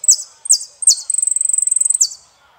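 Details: Saffron finch from Argentina delivering a song of three loud, high downswept notes followed by a long, fast, even trill of identical ticking notes, ending on a final downslur.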